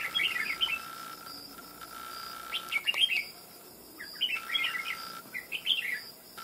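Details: Red-whiskered bulbul trapped wild after close to two months, said to fan out and sing readily with a big ringing voice; lively bubbling phrases of quick slurred whistles repeated every second or two, a faint constant tone underneath.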